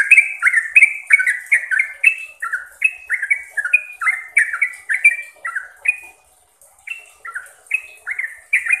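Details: Sooty-headed bulbul singing its trucukan song, played to train caged birds: rapid clusters of bright, falling whistled notes, a brief pause near six seconds, then more scattered whistles with a thin high hiss.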